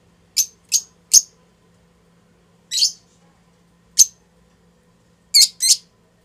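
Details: Bonded adult pair of lutino Fischer's lovebirds mating inside their house: sharp high chirps, three quick ones, then single chirps at irregular intervals and a closing double chirp, with a faint steady low hum beneath.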